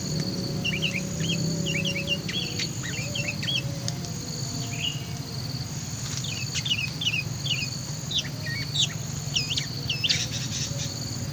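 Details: Sooty-headed bulbul (kutilang) kept as a lure bird, described as very vocal and lively, singing many short bubbly chirping phrases in quick succession over a steady high insect drone, with brief pauses between bursts.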